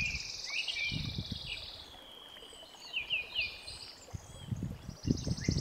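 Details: Bolivian blackbird at Maragua near Sucre, Bolivia, in April 2023: short slurred whistled notes around mid-high pitch, including a quick series of three falling notes, over steady rushing wind or stream noise and low rumbles.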